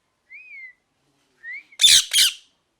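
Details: Parrot gives two clean, gently arching whistles, then two loud, harsh squawks in quick succession, each lasting a fraction of a second, against near silence.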